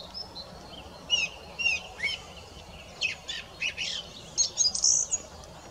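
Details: Singing song thrush delivering a varied run of short whistled and scratchy notes, some swooping, ending in a cluster of louder high, sharp notes.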